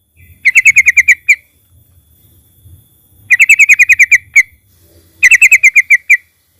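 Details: Yellow-vented bulbul (trucukan) singing loudly, used as a lure to make other birds sing: three bursts of rapid, bright, clipped chirps on one pitch, each burst about one second long, separated by short silences, with faint low rumble beneath.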